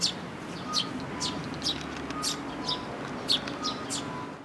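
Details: Sparrow adult and chick on 18 May 2018, giving a run of sharp high chirps in quick irregular bursts, with faint thin tonal notes and low background rumble beneath.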